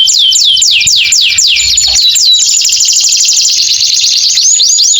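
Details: Canary delivering extended 'gacor' song for canaries that fell silent after molting. A series of about six looping descending whistles is followed by a long, fast, buzzy trill and a few closing sweeps.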